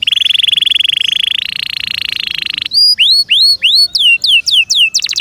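A canary sings a fast, buzzy trill for over two seconds, then a run of about eight clear, rising whistled notes and a quick rattle.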